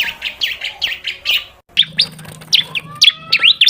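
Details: Bar-winged prinia lure call for attracting birds: rapid high chirps in quick series, a brief pause, then sharper sweeping notes, with a faint low hum and a thin rising whistle in the background.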